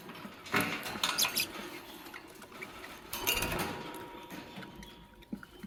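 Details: A green Fischer's lovebird, kept with a pastel bird, making a nest in the morning, gives two short bursts of harsh, squeaky chirps mixed with scratchy rustling and clicks, with a faint steady hum behind.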